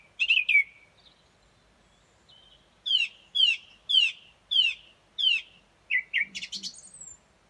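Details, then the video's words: Wild song thrush in its daily dawn song outside a bedroom, recorded around 4.30 am: one bold phrase, then after a pause a slurred note repeated six times about every half second, ending in a twittering flourish. "Song thrush"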